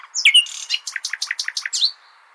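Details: Nightingale song to train goldfinches: a couple of sharp upswept notes followed by a steady series of about nine evenly spaced repeated notes, closing with a rising slurred note; soft background hiss.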